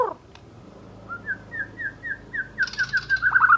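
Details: Asian brown flycatcher in full song: a steady series of short, clear, downslurred whistles about four per second, then a faster, higher jumble of sharp notes at the close. A low background hum is present.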